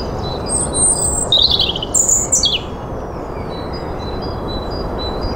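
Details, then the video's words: A European robin heralding spring sings a brief burst of thin, very high, warbling phrases that tumble up and down, over a steady low rush like wind or distant traffic. "Roodborstje luidt de lente in"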